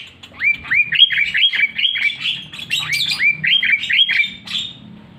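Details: Sooty-headed bulbul kept at home among many kinds of birds, gradually learning to mimic them. Clear whistled notes, each sliding upward, repeated in a quick series with brighter higher phrases toward the end.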